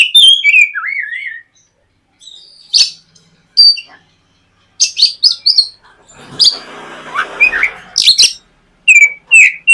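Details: White-rumped shama in full song, used as morning lure audio to prompt a young bird to sing: wavering whistles, then scattered chips and harsh rasping bursts, with a brief noisy patch midway.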